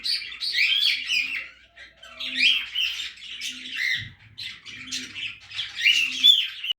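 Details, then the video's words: Feeding budgerigars in a backyard aviary, chattering steadily with scratchy warbles, short squeaks and harsh squawks, with a faint low hum and soft knock in the background. "BUDGIE PARROT FEEDING IN THE AVIARY THE BACKYARD"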